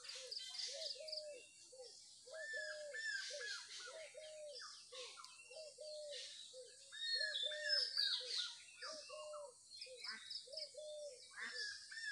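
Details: Morning birds outdoors: a low, hollow note repeated steadily in quick series, with higher answering calls and faint twittering above throughout.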